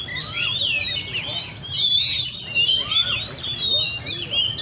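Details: Oriental magpie-robins kept in cages at a bird cafe in Lê Thị Riêng park give clear, ringing whistled phrases with swooping notes, loud and overlapping, in a short burst of song.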